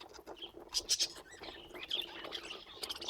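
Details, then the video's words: Budgerigars kept as pets keep up soft, continuous warbling chatter, broken by a few louder sharp chirps and clicks and short rising whistled notes. "Laughing Budgies"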